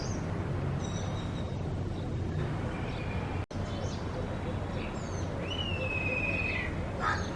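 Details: Black kite (cheel), one of a pair perched on a tree, gives a single shrill whistle that rises then holds level for about a second. A steady low traffic rumble runs throughout, with faint high chirps of small birds.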